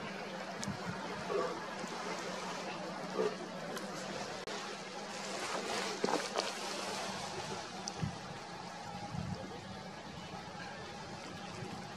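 Steady rushing, trickling water-like noise with a low hum and a few faint, indistinct voices; no animal calls stand out.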